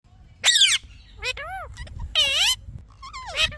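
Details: Talking parrot chirping: a few loud, harmonic chirps that sweep downward and curve, separated by short quieter gaps, with a faint low rumble beneath.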